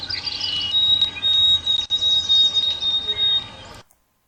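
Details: White-throated Sparrow, a bird nesting far north in the boreal forest, singing clear whistled notes: a short lower note, then long steady high whistles held on one pitch, over a hissy, noisy background.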